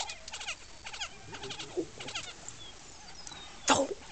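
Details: Lesser prairie-chickens at a lek in Oklahoma, where males display, inflate pouches and fight, give bursts of rough, rattling cackles in quick clusters, ending in one loud harsh squawk, with faint thin whistles behind.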